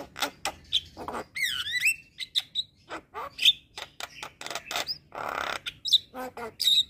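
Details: Javan myna in full 'gacor' song for training captive birds: a jumbled mix of short harsh notes, a descending wavering whistle, raspy noisy bursts and sharp high squeaks, delivered without pause.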